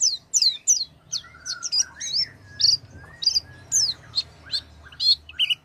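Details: Oriental white-eye singing, used to prompt a quiet white-eye: lively mixed chirps, high falling notes interleaved with lower slurred whistles, delivered at a brisk, uneven pace.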